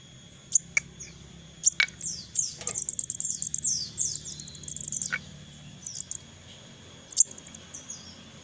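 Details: Hand-reared crested jay chicks begging: loud clicks, then a run of shrill downslurred squeaks building into excited chatter, followed by sparse chirps and another click.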